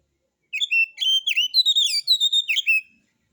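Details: White-rumped shama song as a lure to prompt other birds to sing, relaxed style with rough material: fast sequence of clear whistles and buzzy slurred notes, about four per second, ending in a falling whistle.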